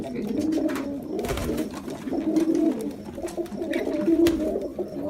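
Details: Deep burbling coos from Jacobin pigeons, each rolling phrase swelling and fading, roughly one every two seconds, over a continuous low chorus of other coos.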